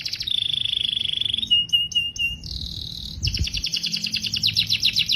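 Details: Canary song opening with a fast buzzy trill, then a steady pure whistle held for over a second, followed by another rapid rattling trill.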